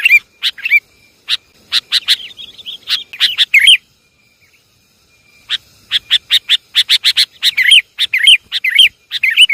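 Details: Sooty-headed bulbul lure sound, Javanese form: crisp snapping clicks mixed with curved whistled notes, a two-second silence midway, then rapid, evenly spaced chirps and looping whistles.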